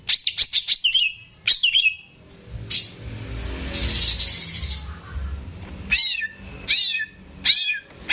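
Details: Greater green leafbird, a caged competition bird, singing a gacor song used as a master recording for training young birds: rapid descending whistled notes, then a pause with low hum, then sharp downslurred whistles repeated about every second.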